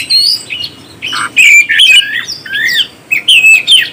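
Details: Oriental magpie-robin song to excite other birds: clear whistled notes and short twisting phrases, a few dry buzzy elements, delivered in short bursts with quiet gaps.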